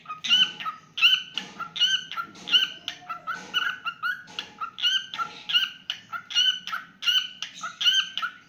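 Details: Pet cockatiel singing in a steady run of bright, ringing chirps, about forty a minute, each with strong overtones, evenly spaced with short pauses.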